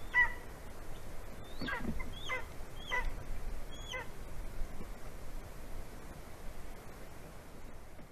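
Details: Latvian golden eagle on a branch calling to its mate before mating, morning of 9 February 2020: a short run of four faint high yelps dropping steeply in pitch, then quiet with low outdoor rumble.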